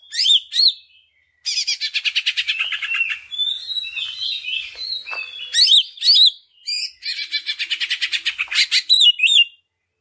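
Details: Greater green leafbird in a lure recording meant to boost other leafbirds into full song pours out a loud, high song of sharp rising whistles, rapid chattering trills and buzzy phrases, with few pauses.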